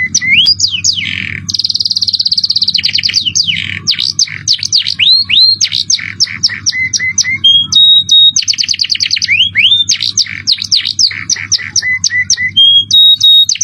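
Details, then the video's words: Canary song for training other birds, cengkok mewah style with jerih voice: long, fast varied phrases of rolling trills, swept rising whistles, buzzy bursts and level piping tones repeated in quick series. "Masteran kenary cengkok mewah suara jerih"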